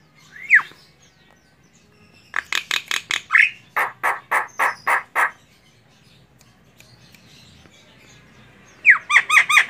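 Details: Female Javan myna calling: an opening sharp falling note, then two bursts of harsh, evenly repeated squawking notes, and a final run of rapid chattering notes after a quiet gap.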